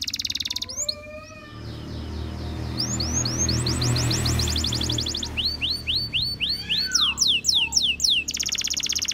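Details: Canary singing: bright whistled trills of rapid downward-sweeping notes, around four per second, alternating with buzzy rolls, over a steady low hum and background noise.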